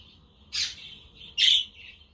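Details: Budgerigar on a windy, sunny day, with a quaker parrot and conure nearby; a thin warbled trill joined by two loud, harsh squawk bursts about a second apart.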